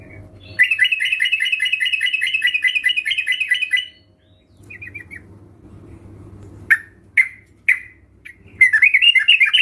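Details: Sooty-headed bulbul song used as a lure so other birds answer: a long, rapid, bubbling chatter for about three seconds, a quiet hum, several sharp separate notes, then renewed lively chattering.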